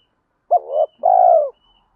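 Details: A single spotted dove phrase, part of male and female calls used to stimulate trained birds: a sharp short note sliding into a second, then a long purring coo that falls away.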